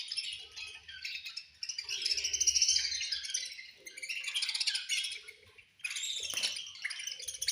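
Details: Budgies chirping around feeding time in a steady, busy chorus of high, buzzy warbles and sharp squeaks, rising in loudness in uneven waves.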